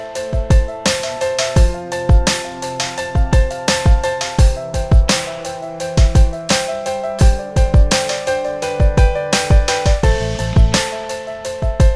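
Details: Electronic music with heavy bass and pounding drum hits, no animal voices.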